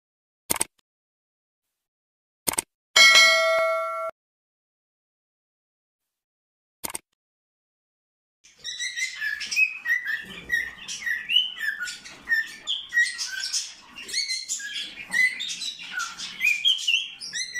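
A cockatiel sings a rapid, chattering string of whistled chirps and warbles after a bright bell-like ding.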